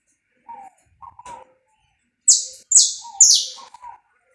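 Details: Saffron finch in pega pé style, recorded live: a few soft low chirps, then three loud, harsh, downward-sliding high notes in close succession, ending with quiet low twitters.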